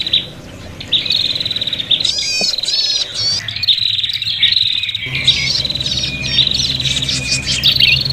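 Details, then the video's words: Prinia calling in an agitated, fighting mood, used for luring: a steady high buzzing chatter broken by looping trilled phrases, with a brief pause midway and a constant low hum. "suara prenjak pikat ribut tarung"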